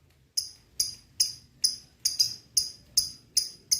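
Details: Lovebird call meant to provoke lovebirds to sing: a regular series of nine sharp, shrill chirps, roughly two or three per second, over a faint low hum.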